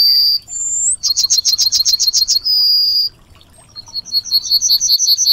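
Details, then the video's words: Emberiza citrinella, the Yellowhammer, gives a high sliding whistle, then a burst of about nine sharp chirps followed by a sustained note. After a pause, another softer series of repeated notes begins over a faint low hum. "Yellowhammer Singing (Emberiza citrinella)"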